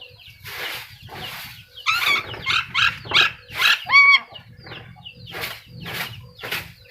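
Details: Black-capped lory giving a series of harsh, broadband screeches in uneven bursts, with one clearer wavering, harmonic squawk near the middle, over a faint low hum.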